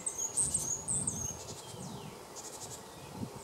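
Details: Male Great tit (Parus major) recorded in March 2015 at Jarun, Zagreb, Croatia, gives a quick run of thin, very high notes in the first second or so, then falls quiet over a low background rumble.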